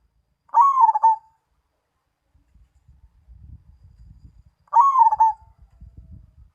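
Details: Zebra dove, Mojopahit song type, repeating the same loud rolling coo phrase twice about four seconds apart, each a short burst of pulsed notes ending in a held tone, with low rumbling noise between phrases.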